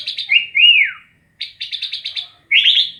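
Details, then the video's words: Sooty-headed bulbul singing loudly and close: a rolling, slurred whistle dipping downward, then a quick stuttered burst of rapid notes and a final bubbly rising phrase, with a clean quiet background. "Burung kutilang asyik"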